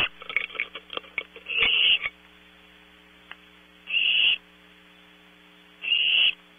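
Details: At Audubon Starr Ranch, California, barn owl owlets at night on a close-up PTZ camera: scratchy clicks and rustles, then three drawn-out hissing screeches about two seconds apart, over an electrical hum.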